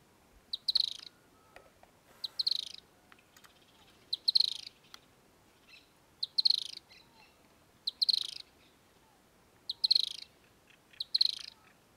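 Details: Firewood-gatherer (Anumbius annumbi) giving short, high, chattering bursts about every two seconds, seven in a row, over a quiet background.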